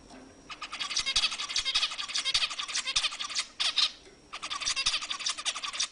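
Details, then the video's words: Zebra finch song played to stimulate other birds: bursts of rapid, nasal, buzzy chatter and repeated short beeps in a high register, with a brief pause near the middle before the chatter resumes. "صوت طائر الزيبرا لتهيج الطيور"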